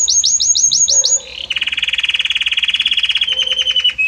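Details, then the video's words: Belgian canary in song, passing gradually between different notes: about seven high hooked notes in quick succession, a short pause, then a long rapid pulsing trill. "Magnífico Como canta este Canário Belga!"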